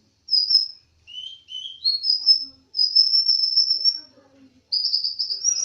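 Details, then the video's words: Olive-backed sunbird, locally called konin dacok, singing vigorously: long, thin, high whistled notes, some steady and some rising, broken by short pauses, with a faint low murmur in the background. "KONIN DACOK GACOR"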